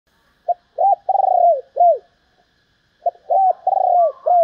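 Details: Female spotted dove calling to stimulate males: two phrases, each opening with a short clipped note, then a long rolling coo and falling arched coos, separated by a pause of over a second.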